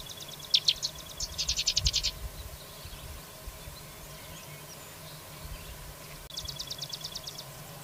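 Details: Carrizalero giving fast, buzzy trills of rapidly repeated high notes, two bursts close together at the start and another after a long pause, with a steady low hum beneath.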